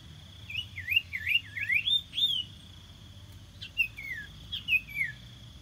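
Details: Common iora song used as a decoy to lure birds: a quick run of wavering, looping whistled notes, then a pause and a few downslurred whistles, over a steady high insect-like drone.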